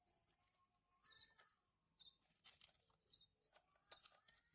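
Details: High, scratchy bursts of chirping from hand-fed Horsfield's bush lark chicks, arriving about once a second in short clusters over a faint low tonal hum.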